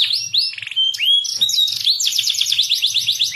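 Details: Bird from a tutoring compilation of cucak jenggot, cililin and canary: a loud, varied, high-pitched warbling song of rising sweeps and quick repeated slurs, with faint low knocking in the background.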